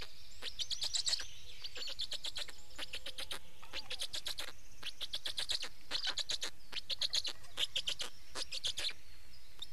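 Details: Wild black storks at their Estonian nest, 19 May 2019, as one adult arrives and the other leaves and feeding takes place; dense groups of harsh, clicking-rasping pulses come again and again, with faint small-bird song underneath.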